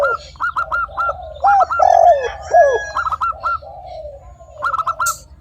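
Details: Spotted dove calling, used as a lure for other doves; low, curved cooing notes swell in the middle, mixed with quick groups of three or four higher, short chirping notes repeated throughout, with a faint low hum underneath.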